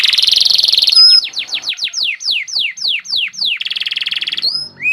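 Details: Canary singing vigorously: a dense buzzy trill, then a series of loud, high notes sweeping downward about three per second, another rolling buzzy trill, and a closing upward whistle.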